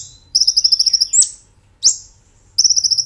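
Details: Brown-throated sunbird, master recording used to train caged birds: a fast, even, high-pitched rolling trill of about a dozen notes, a steep rising whistle, a pause, then the trill starting again.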